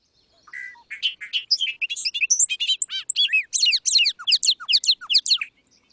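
A Bobolink sings a fast, bubbling jumble of high notes that opens with a metallic, machine-like run and lasts about five seconds.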